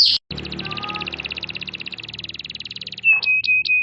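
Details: Canary training lure in masteran style with tembakan, meant for other canaries: a long fast pulsing rattle of even notes, then clear sharp piping whistles repeated quickly, some low murmur under the rattle.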